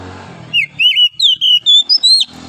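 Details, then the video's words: Wild oriental magpie-robin in forest, singing in the morning: a fast two-second phrase of loud, clear whistles, some dipping and others climbing higher toward the end, over a soft low hum. "OCEHAN KACER DIAPAGI HARI, suara asli kacer hutan liar"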